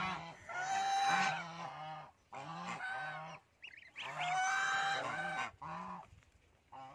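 Geese honk in loud, harsh, nasal bursts, several birds overlapping in long clamorous runs with brief pauses between them.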